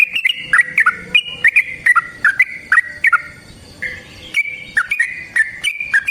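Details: Yellow-vented bulbul, caged, in long combative song to goad a rival: tumbling, slurred whistles delivered in fast bursts, with a short gap before the rolling phrases resume.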